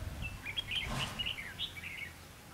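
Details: Red-whiskered bulbul fighting song used as a decoy in a trap to lure wild bulbuls; a short run of clear warbled and whistled notes, rising and falling, over a faint low background hum.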